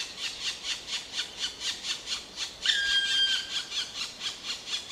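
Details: Harsh squealing notes from a black woodpecker, repeated about twice a second, briefly overlaid midway by a clear, level whistled tone lasting under a second.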